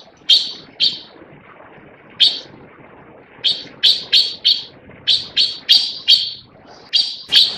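Taiwan blue magpie giving about a dozen short, harsh, rasping notes in uneven bursts, some doubled or tripled, over faint background hiss.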